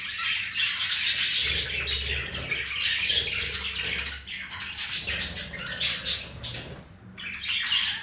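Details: Two pet budgies being affectionate, twittering warble with harsh chirps, briefly covered by low rumbling handling noise in the middle and a short silence near the end.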